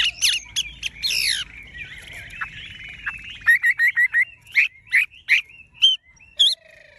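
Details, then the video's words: Caged tame Chinese hwamei with golden plumage sings loudly: sharp harsh notes and a buzzy rattle, then a series of short clear whistled notes spaced evenly, ending with a high bright slur. "Họa mi thuần đét chân mỏ lông lá vàng ươm - Hót như máy"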